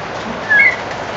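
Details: A roughly four-month-old White-crowned shama singing while taking an afternoon bath: a quick pair of clear whistled notes, the second slightly higher, over a steady hiss of splashing water.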